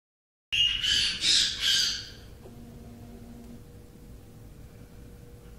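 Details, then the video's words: Three-week-old Meyer's parrot chicks in an aviary, falling asleep: three harsh, raspy squawk bursts in quick succession, then quiet with a faint steady background hum. "3 week Baby Meyers Falling asleep"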